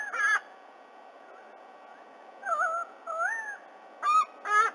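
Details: Black currawong, one of a pair swooping a fledgling white-bellied sea-eagle near its nest in Australia on a morning in late October; loud, wavering, ringing whistled notes with breaks, separated by pauses of over a second.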